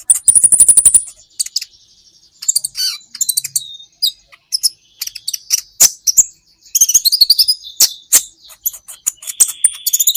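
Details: Brown-throated sunbird (kolibri ninja) on a songbird training recording. A rapid, high, trilled rattle is followed by long stretches of shrill, fast twittering, sharp chips and thin whistles that run almost without pause.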